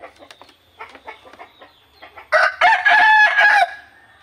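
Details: A Burmese rooster on a rural Indonesian farm gives one loud, harsh, multi-part morning crow lasting about a second and a half, after soft, scattered clucks and scratchy sounds.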